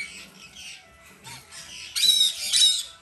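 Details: A female blue-eyed cockatoo chick, still hand-fed three times daily, gives harsh, hissing, rasping begging calls in uneven bursts, growing loudest and roughest toward the end, with faint background hum.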